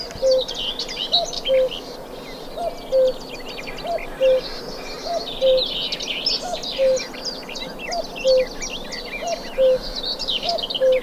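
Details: A common cuckoo repeats its low two-note "cu-ckoo" about every second and a half, amid a bird concert with blackbird and nightingale, whose busy high songs fill the background.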